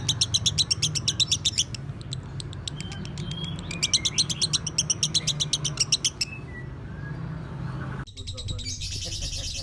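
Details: Caged lovebird of the Broty line, a master bird for tutoring, delivering long runs of quick high chirps with brief gliding whistles between bursts, then a sudden harsher buzzy stretch near the end.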